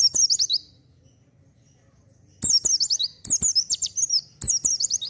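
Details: Oriental white-eye in vigorous song for luring untrained birds: bursts of fast, very high twittering with bright slurred whistles, one phrase, a pause, then three closely spaced phrases.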